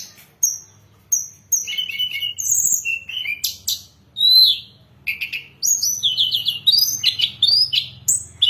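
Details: Song of a hill blue flycatcher, played to lure and train songbirds: clear high whistles, rapid stuttering trills and sweeping downslurred notes in close succession, with short gaps between phrases and a low background hum.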